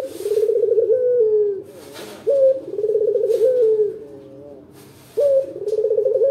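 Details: Loud local dove lure song for getting other birds to answer: long, buzzy, rolling coos that sag in pitch, each introduced by a brief rising note, with quiet gaps between phrases.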